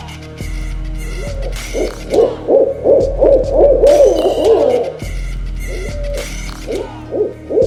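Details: Owl giving short arched hoots, spaced at first, then crowding into a rapid overlapping run before thinning out again. A deep steady hum and faint high tones sit underneath.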